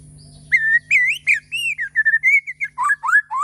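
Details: Bornean white-rumped shama singing in the morning, long clear whistles rising and bending, then quicker sliding notes toward the end; a faint steady low hum sits underneath.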